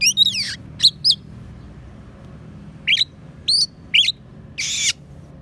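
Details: Oriental magpie-robin song full of sparrow and prinia imitations for training cage songbirds: a descending trilled phrase, paired sharp chirps, a series of short twittering notes about half a second apart, ending in one harsh buzzy burst.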